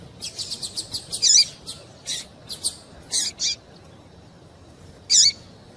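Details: Calls of a female double-collared seedeater meant to get a male singing: a quick run of thin high chips, then several louder buzzy notes spaced about half a second apart, a final one after a pause.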